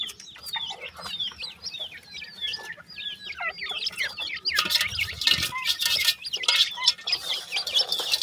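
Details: Black francolin (kala teetar) chicks, male and female, giving many overlapping high, thin peeping chirps in quick succession, some rising, some dipping. A broad burst of noise takes over from the middle onward.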